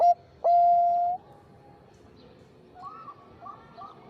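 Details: Zebra dove (perkutut bangkok) used as a lure for others to answer. A short coo is followed by one long, steady cooing note. Softer, warbling notes come after it, faint over a low rumble.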